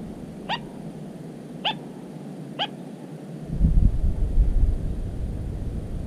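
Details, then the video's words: Little crake in cattails, recorded 13 July 2017: three short, sharp notes that sweep steeply, about one second apart, followed by low rumbling wind or handling noise. "Погоныш малый 170713 4 в рогозе"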